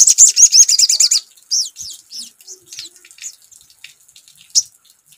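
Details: Crimson sunbird singing eagerly in answer to a lure sound: a fast one-second string of shrill, high notes, then scattered softer chirps and ticking sounds.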